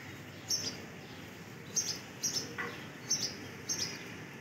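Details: A flock of scaly-breasted munias, being dispersed by sparrows, gives thin, very high, short calls in little pairs, about five bursts in four seconds, over a steady soft hiss.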